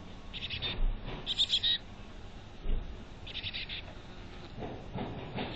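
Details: High, rapid twittering bursts from a chickadee at its nest box in North Vancouver. Several short clusters of thin notes are separated by soft rustling and bumping.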